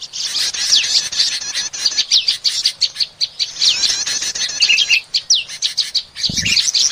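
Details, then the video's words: Lure call of the bar-winged prinia used for catching small birds: dense, agitated series of high, sharp chirps and quick downward-sweeping notes, with a brief low thump near the end. "Suara pikat burung prenjak"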